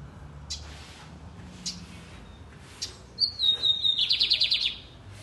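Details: A few faint clicks, then a lined seedeater delivers a loud phrase: a clear descending whistle flowing into a fast, buzzy trill of repeated pulses lasting under a second.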